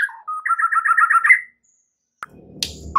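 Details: White-rumped shama song used to prompt other birds to sing. A quick series of about eight clear, whistled double notes runs for just over a second, then stops. After a pause come a single sharp note and a faint low rumble.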